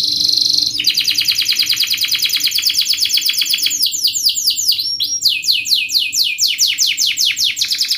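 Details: Singing canary in fast, tight, sharp 'speed' style, used as a lure to teach young canaries to sing rapid rolling trills: a brief high whistle, then dense rapid trills shifting to quick downward-sweeping notes and back to a fast trill.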